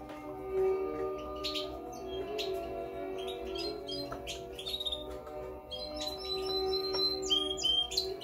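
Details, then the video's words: A canary, described as a classic Spanish Timbrado, sings bright, metallic chirps and quick high trills in bursts over a steady low humming tone; finding: Belgian canary. "Canario de canto timbrado español clásico"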